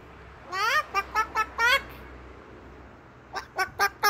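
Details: Moluccan cockatoo imitating a chicken: a series of loud harsh clucking 'bok' notes, five in quick succession, a pause, then four more.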